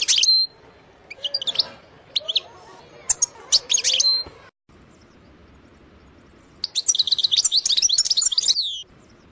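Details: European goldfinch singing in the trilling style called sersir, with bright tinkling twittered phrases of quick high notes, then a pause and a second long burst of rapid liquid twitters.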